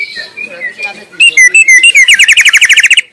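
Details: Wild White-rumped shama singing in its natural habitat: soft whistled notes at first, then loud clear whistles and a fast run of repeated sharp chirps near the end.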